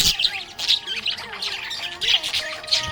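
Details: Budgie in a happy mood giving short, sharp squawky chirps in bursts about every half second, with faint musical tones behind.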